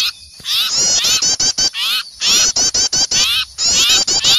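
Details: Alarm chatter from small birds scared by an owl: rapid series of high, wavy, scolding notes in short bursts, with quick breaks between them.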